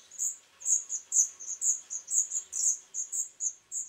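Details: Third-brood Black redstart chicks in the nest on 21 July 2012, parents bringing food; piercing high chirps pulse about twice per second in a regular run.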